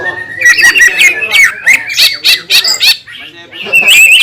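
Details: Green leafbird singing to provoke other green leafbirds into agitation: a loud, rapid tumble of buzzy, squawky chattering notes and sharp whistles, broken by a short pause, then a bright warbled phrase at the end.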